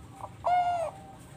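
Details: Perkutut bangkok, a zebra dove bred in captivity in Bekasi, West Java, Indonesia, singing as a lure for other doves: a soft short note, then one long, smooth, steady coo lasting about half a second.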